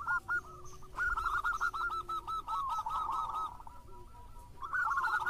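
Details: Local zebra dove singing busily: quick chains of clipped coos that run together into a rolling trill mid-phrase, then break into separate louder notes, with steady low background noise.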